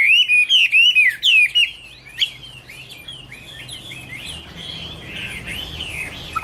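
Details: Chinese hwamei giving a burst of five loud, ringing, downslurred whistles in quick rhythm, then softer, more distant slurred phrases over a light background hiss.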